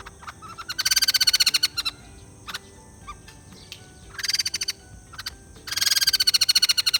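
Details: White-crested laughingthrush chatter arriving in three harsh, rapid bursts of clipped, high-pitched notes, each about a second long, with short quieter gaps and faint scattered calls between them.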